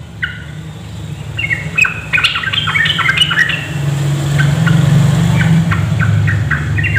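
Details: Female yellow-vented bulbul calling to lure males, mixed with rapid trilling: bright, bubbly chirps in quick bursts, loudest early then fading, over a steady low rumble of traffic.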